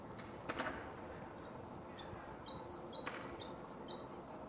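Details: A male great tit in Zagreb, Croatia, late January–February 2015, sings a bright, ringing run of two-note phrases, each a high note dropping to a lower one, repeated about twice a second over soft background hiss.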